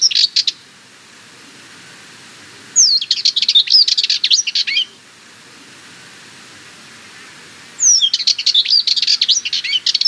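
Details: Sardinian warbler singing in bursts: a short final fragment, then two rapid rattling, scratchy phrases about two seconds long, each opening with a high descending whistle, separated by quiet pauses.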